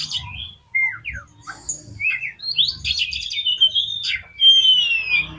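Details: Oriental magpie-robin song played to provoke other magpie-robins: moderately quiet, separate whistled slurs, some rising and some falling, ending in a long, clear, descending whistle over a low background hum.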